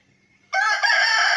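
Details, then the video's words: Rooster crowing, known locally as murga ki bang: a sudden loud, harmonically rich crow that starts after a brief near-silent lead-in and holds strong and steady to the end. "Rooster crowing | Murga ki azan | Murga ki bang"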